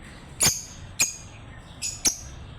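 Lovebird giving four sharp, shrill chirps over under three seconds, high and squeaky with a buzzy edge, spaced irregularly.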